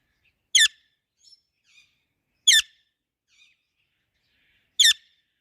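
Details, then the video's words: Pet parrot giving loud natural chirping calls: three sharp, harsh chirps spaced about two seconds apart, with a few faint soft twitters in the quiet gaps between them. "Parrot Natural chirping sounds |parrot chirping sound | Parrot calling sounds |loud parrot chirping"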